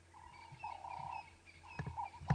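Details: On a morning safari drive around sunrise on 19 August 2016, a ring-necked dove perched overhead, throat puffing as it calls, gives two low, hollow, drawn-out coos, the first slightly wavering, with a few sharp clicks and faint background noise.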